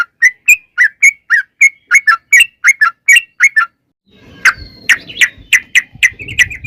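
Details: Sooty-headed bulbul rolling song meant to trigger singing, said to be a female calling the male: fast whistled notes for four seconds, a short silence, then a second phrase of sharper notes over low background noise.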